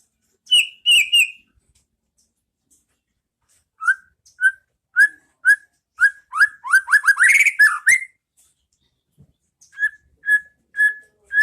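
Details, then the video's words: White-rumped shama song used as a masteran recording for training caged birds to sing, ngeplong style: three high whistles, a pause, then evenly spaced clear whistled notes, a fast rising trill and more steady whistles. "Masteran Pas Burung Murai batu Biar ikut bunyi"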